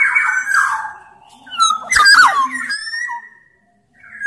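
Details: Sumbawa black-naped oriole, a large-bodied form from Sumbawa, singing steadily, used as a lure to get orioles calling: rich fluting whistles with sliding, slurred notes and a harsher burst in the middle, with pauses between phrases.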